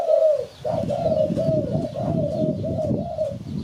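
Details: Spotted dove coos used as a bird-catching lure. A short coo is followed by a pause, then a long run of connected, level, mid-pitched cooing notes rolling on for nearly three seconds.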